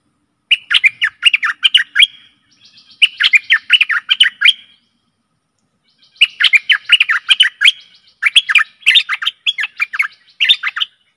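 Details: Stripe-throated bulbul song played as a decoy to lure aggressive wild birds: bubbly, warbled phrases of quick rising and falling notes, delivered in three bursts with short pauses between them.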